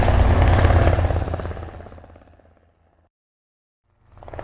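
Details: A loud engine roar fades away into silence, then begins to rise again, with no animal sound present.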